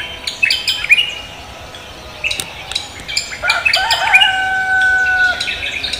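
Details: Cucak kombo greeting the morning with a busy mix of sharp chips and twittering notes, followed by a long, even, whistled tone held for about a second.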